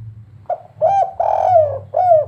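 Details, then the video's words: Spotted dove from Semarang singing the kuk 3 song style: three mellow cooing notes, the middle one long and sliding downward, with a low steady hum underneath. "burung derkuku kuk 3 ternyata salah satu burung termerdu didunia"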